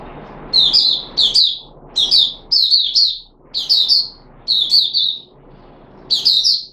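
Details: Red-whiskered bulbul of the Puteh Raja kind, caged, fed special fruit juice plus one mealworm, 13 April 2021: crisp high twittering phrases of two to three quick notes, evenly spaced, over a steady soft hiss.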